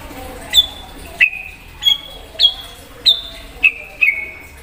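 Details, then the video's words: White-rumped shama calling to provoke another shama: seven clear whistled notes, each a sharp onset sliding into a steady tone, repeated about every half second, alternating higher and lower pitches. "Murai Batu Gacor Memancing Emosi Murai Bahan"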